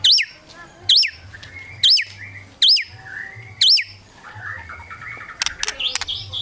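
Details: White-rumped shama singing kretekan to make rivals sing, repeating a loud upswept whistle about once a second five times, then a soft jumble of notes and clicks.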